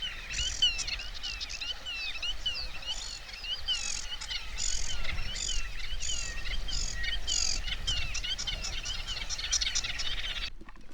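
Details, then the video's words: Black-tailed godwit flying over Biały Grąd in Biebrza National Park, Poland, on a windy, still-dark morning under rain clouds: rapid, nasal, rising-and-falling calls, several a second in a steady chatter, over a low rumble of wind. "Posłuchajcie sobie głosu rycyka"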